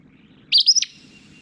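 An Acadian Flycatcher gives its whole song: one abrupt, explosive high two-part note, a sharp rising 'peet-sa', lasting about a third of a second.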